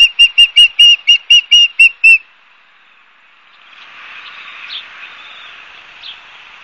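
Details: Osprey at a Barnegat Light, New Jersey nest, recorded by a live cam on 12 September 2022 at 16:34; nine loud, clipped whistles in two seconds, then quiet, followed by a low wash of wind-like noise.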